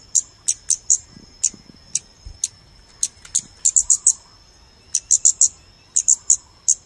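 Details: Scarlet-backed flowerpecker calls, used as playback to attract birds for photography: very high, sharp clicking ticks, given singly or in quick runs of three or four, over a faint steady high whine.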